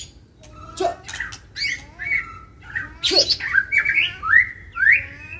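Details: White-rumped shama in a fight, provoked into agitated singing: harsh squawky notes mixed with slurred whistles that rise and fall, delivered in uneven bursts.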